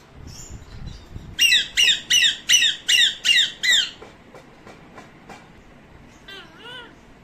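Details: Hand-tame pet parrot, said to talk Urdu and Arabic words, giving a run of eight harsh, buzzy squawks at a steady quick pace, each about a third of a second long, then quieter scattered notes and a few short rising calls.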